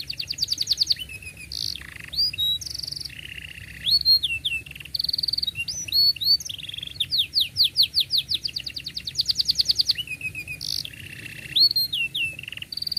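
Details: Domestic canary singing a long song with tight rolling trills, offered for young canaries to learn from: fast pulsed trills, rising whistles and buzzy held notes alternate in quick phrases, with a low steady hum underneath.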